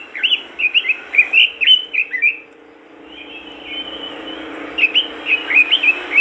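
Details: Robin singing loudly to get other robins singing: fast high chirped notes, then a quieter thin sustained whistle, then another burst of quick chirps.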